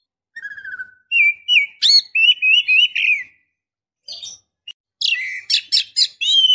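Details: Breeding-condition female Oriental magpie-robin calling to a male; a quavering low whistle, then a series of repeated looping whistles, a pause, and a fast sequence of sharp chirping notes.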